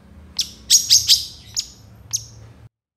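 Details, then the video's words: Long-tailed shrike in full song for training songbirds: a sparse string of about six sharp, very high chip notes, three close together, then spaced out. "SUARA CENDET GACOR DOR FULL ISIAN TEMBAKAN COCOK BUAT MASTERAN BURUNG KICAU APAPUN"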